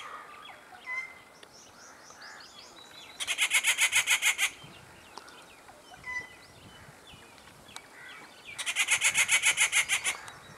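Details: Rufous treepie with its chick, a breeding bird in the local area; two loud harsh rattling bursts of rapid, evenly spaced pulses, each lasting over a second, with faint chirps from other small birds between them.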